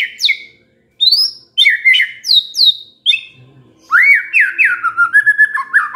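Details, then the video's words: Shama song played as a lure for stressed birds: piercing downslurred whistles and squeaky notes at first, then a lively stretch of looping, warbled whistles. "SEKETIKA MURAI STRES SONTAK BERBUNYI DENGAR PANCINGAN INI"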